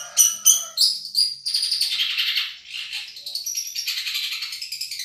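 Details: Long-tailed shrike of the Madura variety, a champion singer used for song tutoring: a few clear piping notes open into a fast, continuous scratchy warble of rapidly repeated elements.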